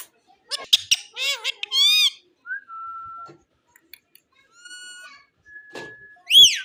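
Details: Ring-necked parakeet speaking foreign words: quick raspy, wavering voice-like syllables, several long flat whistled tones at different pitches, and a final loud shrill arched squawk.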